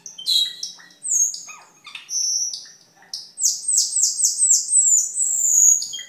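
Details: Cucak keling song for masteran: loud harsh phrases and whistles, then a fast run of about eight falling chirps blending into a long, high, slightly rising whistle.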